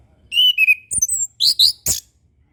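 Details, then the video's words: Orange-headed thrush song used as a master recording to teach young birds learning to sing: clear whistled phrases sliding between high notes, with short sharp chips and quick upward sweeps, repeated in brief bursts. "MASTERAN SUARA ANIS KEMBANG KHUSUS UNTUK ANIS KEMBANG BARU BELAJAR BUNYI"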